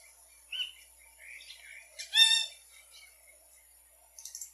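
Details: ['Yellow-rumped cacique singing: a whistled note, soft gurgling sounds, then a loud nasal harmonic call, followed by brief scratchy notes, over a faint continuous high hiss.']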